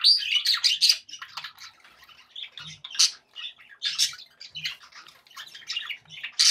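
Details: Contented budgerigars kept as pets give scattered chirps, sharp squeaks and scratchy warbled notes, with brief quiet gaps between louder bursts of bright twittering.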